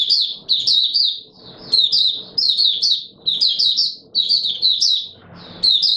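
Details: Oriental white-eye singing, recorded 24 March 2022: high, thin twittering phrases of quick rising and falling notes in bursts about a second long, separated by short pauses, with faint low background rumble.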